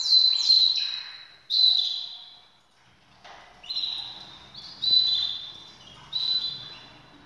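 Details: Canaries ready for breeding give bright, high chirps and short whistled trills in quick bursts, with several birds overlapping in a busy indoor aviary.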